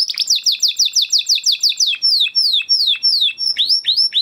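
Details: Crested Huppe Spanish Timbrado canary bred in 2020, part of a flock, in a training song: loud downslurred notes repeated about four to five per second, slowing and rising in pitch toward the end.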